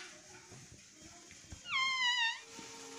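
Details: Talking pet parrot saying "mami": after a stretch of faint rustling and clicks, one clear, clean, slightly falling whistled-voice call of about half a second, followed by a soft steady tone.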